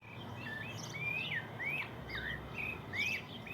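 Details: Birds singing on a countryside morning: a run of clear whistled notes that slur upward, then drop, repeated about every half second, with a few softer chirps and a steady low rural hum underneath.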